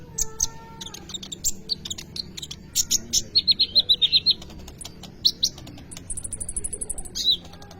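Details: Sunbird, called kolibri ninja, singing in full voice as a lure for training other birds: rapid high twittering with a run of even, repeated chips in the middle and sharp thin notes, several per second.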